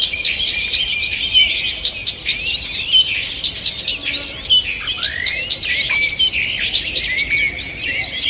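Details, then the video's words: Forest birds singing in the morning on 2 June 2023, many voices at once: quick high twitters, short whistled slurs and a few descending notes layered into a steady chorus. "Утреннее пение птиц"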